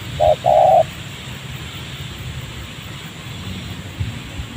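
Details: Spotted dove in a rubber plantation near a village, cooing during a trapping session where a wild bird answers a trained decoy: one short note, then a longer rough coo, followed by quiet background hiss.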